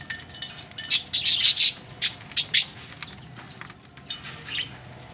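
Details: Budgerigars ready for laying eggs, with a cluster of sharp, high chirps around the middle, then scattered fainter chirps over a low background hiss.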